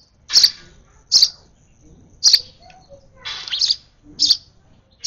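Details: Excited sparrow baby begging while hand-fed, sharp high chirps spaced about a second apart, one longer buzzy call in the middle, faint rustles behind.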